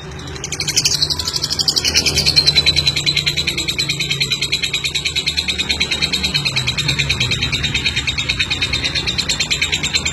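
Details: Chatty champion lovebird performing a long ngeklek, opening with a brighter high burst, then settling into an unbroken run of rapid, evenly pulsed shrill chatter, with a low hum underneath.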